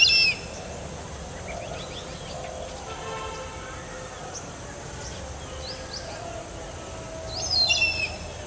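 Indian grey hornbill giving two brief bursts of shrill, squealing notes, one at the start and one near the end, over faint chirping from other small birds.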